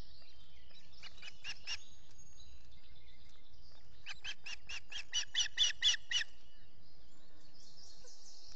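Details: Osprey at a nest with chicks during feeding, Salt Point in the Finger Lakes, US, early morning of 14 June 2021, on a solar nest camera: two bursts of sharp, repeated chirping notes, the second louder and faster, over steady background hiss.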